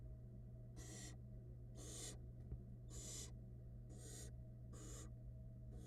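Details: At a Florida barn owl nest box, nestlings fed by the female produce five loud, rough hissing calls at roughly one-second intervals, set against an even low hum and one faint tick.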